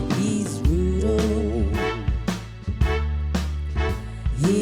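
Music with a soulful singing voice over steady bass and rhythmic beats, with no animal sounds heard.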